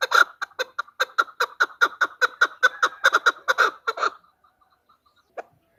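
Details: Rapid clucking chuck calls from a female chukar, a recording used to lure birds when hunting, delivered in a fast rhythmic burst for four seconds, then silence apart from a few faint notes.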